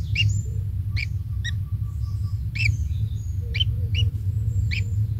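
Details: Single young kingfisher at its nest while the parent brings insects: clipped rising chirps spaced roughly every half second, faint high squeaks, a soft dotted ticking and constant low rumbling background.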